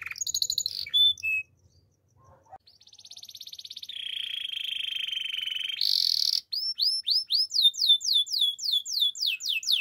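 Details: Singing Belgian canary, morning: a few high chirps, a short pause, then a buzzing roll climbing into a long steady trill, a higher ringing tone, and quick repeated descending whistled slurs.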